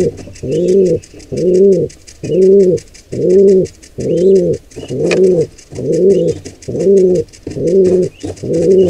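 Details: Wild pigeons at a nest site where a nestling is attacked by an intruder pair. A steady run of ten low, resonant coos comes about every 0.9 seconds, with light high twittering and a brief knock behind them.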